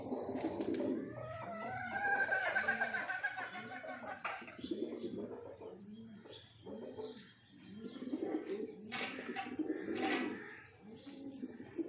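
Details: A breeding pair of pigeons gives a series of short, low coos, repeated steadily under a second apart. Louder, rougher bursts occur at the start and again toward the end.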